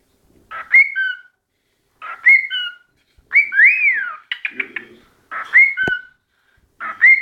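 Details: A pet cockatiel singing in front of a mirror: a repeated phrase of clear whistled notes with warbled, rising-and-falling slurs.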